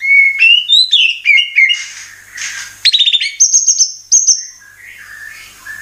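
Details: Oriental magpie-robin singing a varied phrase of clear whistled notes, some rising and falling slides, then rapid buzzy stacked notes and high thin whistles, each element quickly changing.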